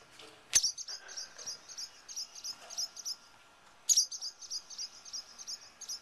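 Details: Two very defensive barn swallows near their nest, objecting to a person close by, give rapid bursts of short, high, sharp alarm notes several times a second, opened by two loud sharp cries, over a faint steady hum.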